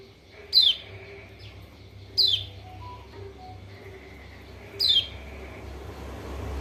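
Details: Lure call of the pleci lombok, a yellow white-eye, meant to trigger a lazy bird to sing: three piercing, high downward-swept chirps at uneven gaps, a few faint softer notes between, low background hum.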